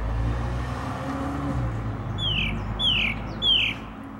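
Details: April 2021 garden recording of a song thrush: three matching downward-sweeping whistled phrases over steady low rumbling noise.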